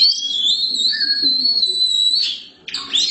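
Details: Black Oriental magpie-robin holding one long, steady, pure whistle for about two seconds, then a short pause and a burst of scratchy, buzzy notes.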